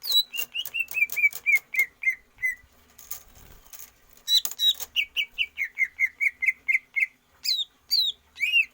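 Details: Caged greater green leafbird in stamina training: a fast series of descending whistled notes, a brief pause with clicks, then another long repeated run of steady whistles and a few higher upswept notes.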